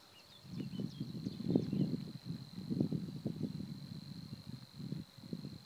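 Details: Continuous high, even reeling of a Savi's warbler, recorded at the Týnecké mokřiny wetland reserve on 16 April 2016, half hidden beneath heavy low rumbling and knocking noise, with brief sharp chirps from other birds early on.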